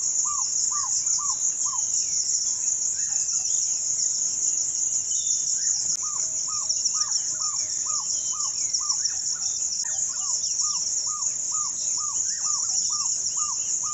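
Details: African barred owlet singing in Kenya, where its range is restricted: series of soft, rising-then-falling purring notes, about three per second, in bursts, over a constant high shrill insect drone.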